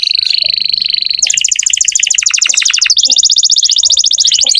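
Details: Vigorous canary song, meant to encourage young or silent canaries to sing. A steady high whistle gives way to fast, even trills of clipped notes, repeated in two long rattling runs.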